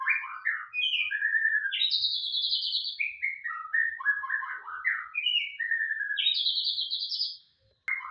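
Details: Caged white-rumped shama in full song: a rich, fast run of whistled and buzzy phrases jumping between low and high notes, short slurred notes in quick series, with a brief pause near the end before singing resumes.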